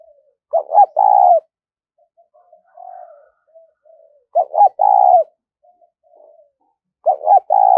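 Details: Spotted dove 'thúc rút' coo played as a trapping lure. Three phrases recur roughly every three seconds: two clipped swooping syllables, then a long resonant burr. Quiet low mutterings fill the gaps.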